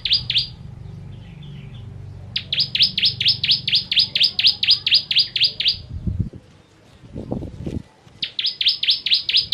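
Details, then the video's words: Bar-winged prinia (ciblek) song for tutoring contest birds: bursts of rapid, high, sharp downslurred notes in long runs, with low knocking sounds in a gap between runs. "Ciblek Kristal Tembakan Pedas Cocok Untuk Masteran Burung"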